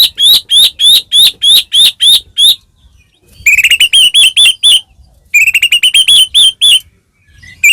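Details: White-rumped shama in a cage, song meant to goad another bird into singing: a rapid series of loud upslurred whistles, a pause, then two bursts of quick tumbling whistled notes.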